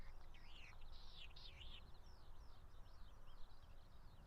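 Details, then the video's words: Latham's snipe (Gallinago hardwickii) in display flight at the foot of Mount Fuji, Japan, in late May: a fast run of high, swooping whistled notes fading into fainter repeats, over steady low wind rumble. "オオジシギ ディスプレイ"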